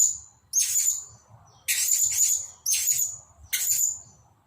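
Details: Newly bought caged blue-crowned hanging parrot kept as a decoy bird and set in front of the main decoy. It gives four loud, shrill, very high hissing bursts, each about a second long, with faint low background noise.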